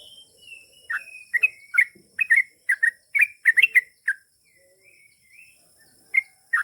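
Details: Sooty-headed bulbul singing in the long rapid 'ropel panjang' style, used to prompt other bulbuls to answer; bubbly, liquid chirped notes in quick clusters, separated by short pauses, with faint whistles in between and a steady high hiss.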